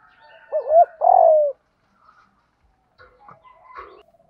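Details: Decoy spotted dove cooing in the local styles called 'giọng đồng' and 'gù thúc', used to lure wild doves: one phrase with a short wavering double coo, then a long, throaty, falling coo. Faint chirps follow.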